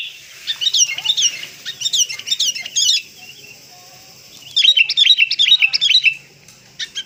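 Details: Sooty-headed bulbul call played to lure birds: two bursts of quick, sharp, rising chirps separated by a quiet gap, with a short final note.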